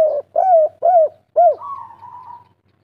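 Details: Local spotted dove (derkuku, tekukur) singing the three-note 'kuk 3' style: three arched, hollow coos, then a drawn-out flat wavering note that fades away. No other sounds.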